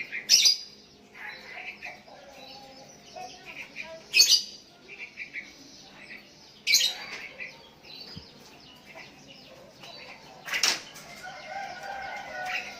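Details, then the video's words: Sooty-headed bulbul calling to a rival with other bulbuls answering; harsh bursts at irregular intervals, about four in the span, with quieter chirps between. "Burung Kutilang Memanggil Lawan pancingan,,dan Kutilang Lain Ikut nyahut"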